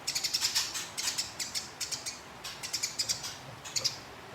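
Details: Eurasian tree sparrow in a fighting bout, rapid bursts of sharp high chirps and squeaks rolled together in quick runs, set against a steady hiss of background noise.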